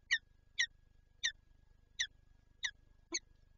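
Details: Peregrine falcon at a nest site in Lublin, Poland, recorded 19 March 2022 with an egg present; six sharp, harsh chip-like calls spaced roughly half a second apart, with a steady low hum underneath.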